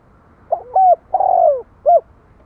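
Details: One complete spotted dove phrase: a quick two-part opening note, then a drawn-out, rough, downward-sliding coo, and a short closing hoot. The setting is otherwise quiet.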